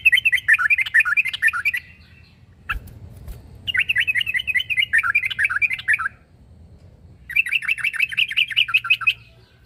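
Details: Yellow-vented bulbul (trucuk) in challenging mode, calling a rival: three bursts of fast, bubbly chattering notes, each lasting about two seconds, separated by short pauses with a brief click between them.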